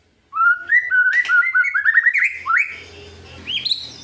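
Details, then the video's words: White-rumped shama singing to provoke rivals, a string of short rising whistled notes climbing steadily in pitch, then a brief high phrase over a low background hum. "kretekan buat memancing emosi lawan"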